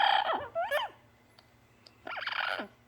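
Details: Caged pet parrot vocalising in the morning: a burst of strained, harmonic calls with quick up-and-down pitch sweeps, a short pause, then another rough, wavering phrase. Quiet room hum in the background.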